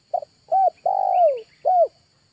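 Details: Spotted dove used as a lure bird in August, giving a single four-part coo: a short stutter, a clipped note, a long drawn-out coo that slides downward, then a final clipped note. The background is quiet with a faint steady hum.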